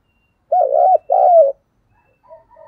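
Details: Calling to lure wild birds, a decoy spotted dove gives a mellow two-part coo: a wavering first note, then a longer falling one. Fainter coos follow in the distance.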